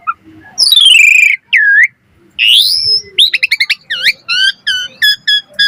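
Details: Asian pied starling in full, active song with a rich repertoire, used as tutor song for training other starlings: a long descending whistled slur, then a curved whistle, a rising sweep, and a fast run of repeated clipped notes.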